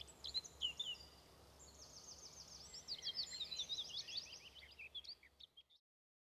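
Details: Eurasian skylark song: a rapid, continuous high twittering and trilling warble with buzzy runs and sharp chirps, pouring out without pause for about five and a half seconds before stopping abruptly, over a faint steady background hiss.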